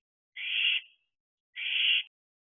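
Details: Barn owl owlets at an owl box late at night in June: two drawn-out hoarse hissing screeches, the first swelling then trailing off, the second a second later.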